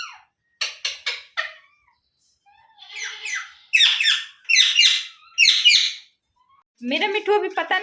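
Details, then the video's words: Pet Indian ringneck parrot young being fed indoors; sharp clicks, then four rasping, slurred squawks, followed by a human voice speaking at the end. "Ringnaeck Parrot Natural Sounds | Baby Parrot Sounds"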